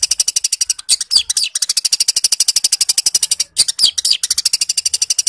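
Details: Long-tailed shrike giving a vigorous fighting song, mimicking sparrow calls: a rapid, loud stream of high, sharp chattering notes at about ten per second, broken by brief pauses and a few slurred, rising whistles.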